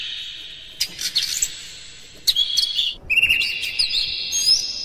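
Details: Oriental magpie-robin song, hard and dense, intended to stir other magpie-robins into singing: scratchy chirps and twitters, a short pause, then a long clear whistle held steady under rapid high flourishes.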